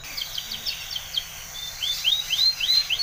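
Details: Spanish Timbrado canary song for training: faint rising chirps, then louder upswept notes repeated around four per second in the second half, over a steady low hum.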